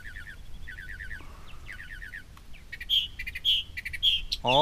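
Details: Northern mockingbird singing from its tree at a New Jersey reservoir edge; a wild permanent resident. Rapid repeated chirp phrases, each repeated several times before switching, then louder clear whistled notes; a man's voice cuts in at the end.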